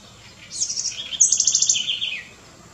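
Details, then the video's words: House wren, a small wild bird common in gardens and city centres across the Americas: brisk, bubbling phrase of high trills and rapid repeated notes ending in a falling slur, within about two seconds. "CURRUÍRA, CAMBAXIRRA"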